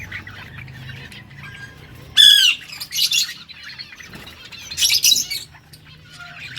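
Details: Yellow budgerigars, Australian parrots, recorded August 6, 2024: a sharp, harsh squawk with a descending whistled element, then scratchy chatter and another loud burst of chirping against soft background twittering.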